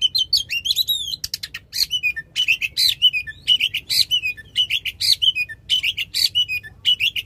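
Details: Loud oriental magpie-robin song in long shooting bursts, meant to prompt a silent magpie-robin: high whistled slurs, then a rapid run of sharp repeated notes, close to one a second, each a crisp chip and whistle.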